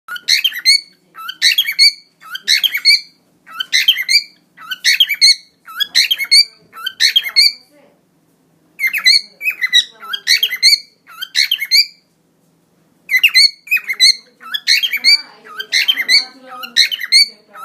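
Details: A pet cockatiel sings with its wings spread, repeating short, bright whistled phrases in quick bursts with brief pauses between runs.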